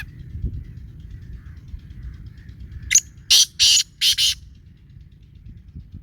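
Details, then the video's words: Black francolin call: after a quiet start, a loud burst of harsh, grating notes, one short then four longer rasping phrases in about one and a half seconds, over low background rumble. "کالا تیتر کی آواز ویڈیو"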